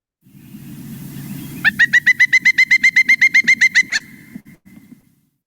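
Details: Pileated Woodpecker call played in a talk on local woodpeckers, a loud, ringing series of about fifteen even notes, about four per second, the call often heard echoing through the forest, over a low murmur of room noise.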